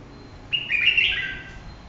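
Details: Red-whiskered bulbul giving a single short phrase of clear, slurred whistled notes that sweep down and then fade, about one second long, over a quiet background.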